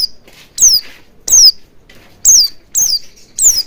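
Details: Oriental white-eye sound played as a lure to make the bird sing and open its beak: loud, very high chirps sweeping downward, given singly or in pairs roughly every half second to second, with short silent gaps between.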